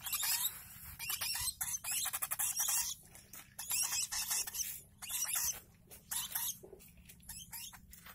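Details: A one-month-old lovebird chick being hand-fed, giving dense bursts of high, raspy, hissing begging noise in rapid runs, pausing briefly between bouts, with quiet indoor background.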